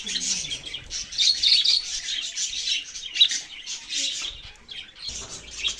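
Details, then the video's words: High, rapid budgerigar twitter with bright chirps about four per second, a squawky note near the middle, and a brief low thump shortly before the end. "parrot chirping sounds"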